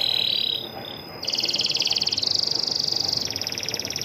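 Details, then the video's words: Female Atlantic canary calling to her mate: high, thin notes, first a steady whistle, then a long, fast, even buzzing trill at a higher pitch, shifting step by step, with no other sounds. "Burung kenari betina panggil jantannya"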